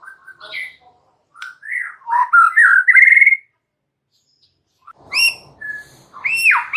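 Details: White-rumped shama, one bird singing busily with full fill-in material: scattered whistles building to a loud run of strong, slightly rising whistled notes, silence, then bright high chirps and a loud sweeping whistle.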